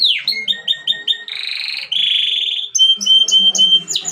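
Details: Canary singing a varied song: a fast repeated high trill, then a long buzzy rolling passage, then clear high whistled notes and quick chirps, each phrase in a new rhythm.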